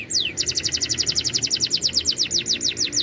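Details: Canary in top singing form with a hard voice: one long drooping whistle, then a steady, rapid trill of short downslurred notes, roughly nine per second, held to the end.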